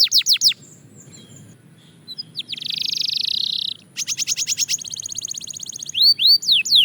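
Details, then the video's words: Belgian canary song at fast tempo for singing practice: a few quick sharp notes, a pause, a rolling buzzy trill, then a run of rapid clipped notes and finally several looping upward-curving whistles. "Shocking Canary Singing Progress"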